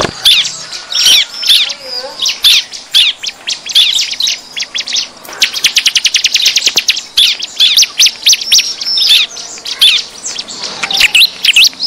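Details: Excited bar-winged prinia calling used to lure wild birds: busy overlapping high chips and squeaky notes. Midway comes a fast, dry, rattling trill, followed by more scolding chatter.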